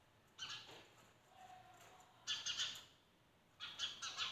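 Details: A window in the morning with sparrows giving a single chirp, then after a pause two fast chattering bursts of harsh notes.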